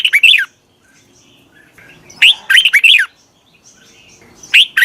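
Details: Luring call of a decoy red-whiskered bulbul aimed at wild birds: short clusters of two to five liquid, down-slurred whistles, spaced by quiet gaps of about a second.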